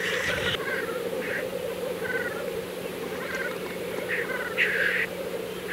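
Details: April lek of black grouse, with a continuous bubbling, cooing chorus from several males and repeated short hissing calls at irregular intervals, some distant and one loud and close near the end.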